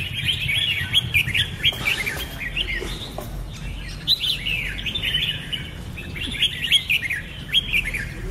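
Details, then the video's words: Red-whiskered bulbul delivering bursts of lively warbled chirps, several notes per phrase with brief pauses between groups, fairly clear above a faint low background hum. "Red-whiskered bulbul (Pycnonotus jocosus) Chants"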